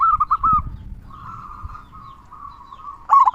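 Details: Local zebra dove (perkutut lokal) with a big 'kung' voice, used to stir other doves. A few quick coos open the clip, then a long low murmur of cooing, ending in a loud rolling burst.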